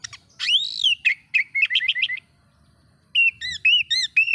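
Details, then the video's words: Oriental magpie-robin song meant to provoke other magpie-robins: a loud arched whistle, then a quick run of short bright repeated notes. A pause follows, then a series of clear looping whistled phrases. "bikin Kacer Lain ikut emosi coba buktikan dengan suara ini"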